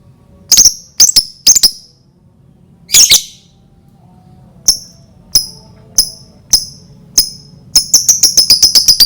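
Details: Lovebird lure recording meant to provoke other lovebirds into singing: sharp, high clicking chirps in scattered bursts, a broader burst near three seconds, then a fast run of rapid chirps at the end; quiet background.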